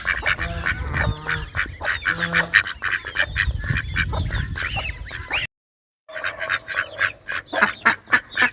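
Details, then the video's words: A flock of ducks giving loud, rapid nasal quacks, tightly packed and overlapping, with a few longer, lower honking notes early on; a brief cut of silence interrupts before the quacking resumes. "Duck Quack Quack Cute Sound || Quacking Sound Of Duck || Ducks Quack Quack Loud Sound"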